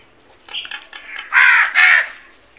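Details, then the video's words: Crows searching for food: a few soft scratchy notes, then two loud harsh drawn-out caws in close succession. "Crows sounds"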